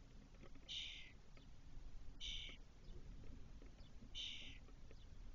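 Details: Spotless starling chicks, Doñana, Spain, 2023, the eldest back in the cork-oak nest box four hours after fledging. Three rough, breathy rasps about 1.5 to 2 seconds apart over a low background hum.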